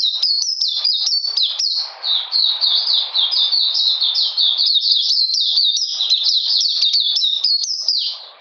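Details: On a cold, rainy 13 June 2020, an Oriental magpie-robin sings a dense, continuous stream of bright high notes, quick downward slurs strung together in a steady, chattering warble.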